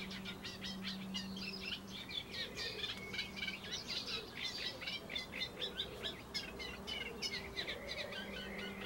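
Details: Eurasian reed warbler singing from a laurel: a dense, energetic chatter of harsh repeated notes mixed with brief whistles, continuing throughout, with a faint intermittent low hum in the background.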